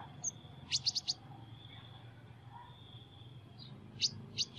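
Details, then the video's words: Sunbird with an unusual voice gives a short run of four sharp, high chirps, then quiet with a faint thin whine, and two more clipped chirps near the end. "Chim Hút Mật Hót Giọng Lạ"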